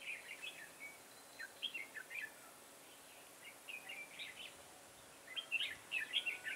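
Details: Decoy red-whiskered bulbul singing for trapping in a garden, 9 October 2017: groups of fast bubbly whistled notes, a short pause, then a louder chattering run at the end.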